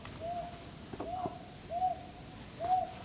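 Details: Owl calling in a Korean forest on a drizzly day, later seen perched in a tree: four soft, arched hoots about 0.8 seconds apart, over faint background hiss.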